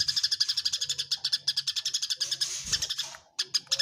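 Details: Tree sparrows in a fight keep up a rapid, insistent chatter of shrill chirps that blur together midway, then thin out after a brief gap, over a soft low hum.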